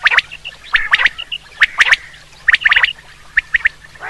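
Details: Common quail (batir) calls for hunting: sharp, clipped notes in quick pairs and triplets, bursts spaced irregularly about once a second, with a brief rough note near the end.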